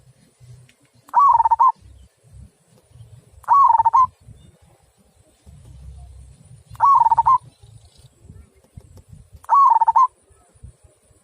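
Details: Local zebra dove delivering 'kung' style song, loud and clear: four separate quavering coo phrases spaced roughly two to three seconds apart, each dipping then finishing with a short lifted note, faint low thumps underneath.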